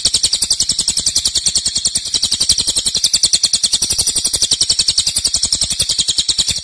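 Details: Cililin singing its loud, long-lasting nembak song, used as a master recording for training songbirds: a harsh, very high, rapid pulsed chatter of about three to four beats a second, running on without a break.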